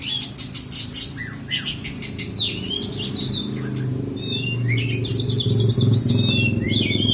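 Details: Oriental magpie-robin (kacer), black-and-white type, at a songbird contest in South Aceh, Indonesia: rapid varied whistles, sweeping slurs and chattering notes, dense and overlapping, over a steady low hum of crowd and machinery.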